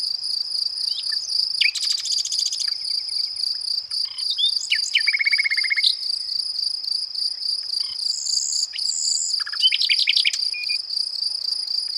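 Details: Nightingale singing a varied run of phrases: buzzy rapid trills, sharp rising whistles, short chirps and clipped notes, delivered in separate bursts over a steady, high-pitched cricket chorus that never stops.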